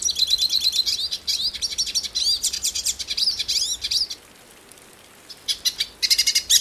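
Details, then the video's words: High, fast twittering song of a Brazilian hooded siskin, bursts of buzzy trills and curving whistles broken by a quiet gap of about a second. "The Song of the Pintassilgo Cabeça Preta"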